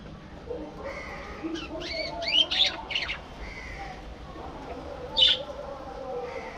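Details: Caged budgie flock in a breeding colony setup: scattered sharp, scratchy squawks and short chirps rising above quiet background chatter, with one louder harsh call near the end.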